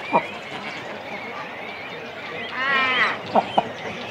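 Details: Cormorant nest in a colony, chicks and adults close by: a sharp falling yelp, quiet chatter, then a half-second buzzy, harmonic wail followed by two quick yelps.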